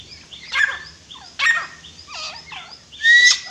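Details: Grey francolin (Dakhani titar) calling: four loud, harsh, harmonic notes spaced roughly a second apart, each bending up and down in pitch, the last rising into a sustained, strident high note, over a quiet background.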